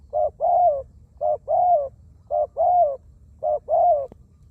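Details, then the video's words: Zebra dove kept as a decoy for ground decoying, noted for a small voice and many coos; four evenly spaced phrases of a short coo followed by a longer, slightly falling coo. "เสียงนกเขาใหญ่ นกเขา นกเขาชวา"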